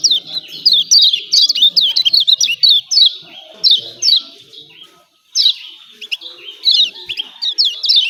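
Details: Yellow white-eye of Lombok (kecial kuning) giving steady 'ciak ciak' calls. High descending chirps come in quick groups of two to four, with one brief silent gap midway.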